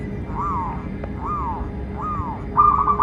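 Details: Zebra dove, local Indonesian bird, used as a lure to train captive doves and attract wild ones: three soft arched coos around one kilohertz about once a second, then a brief stuttered trill at the end, over low steady background hum.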